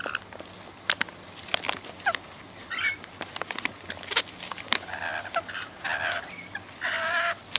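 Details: Wild rainbow lorikeets, regular visitors fed raw sugar, give scattered harsh, raspy screeches that grow denser and louder toward the end, with frequent sharp clicks and taps throughout.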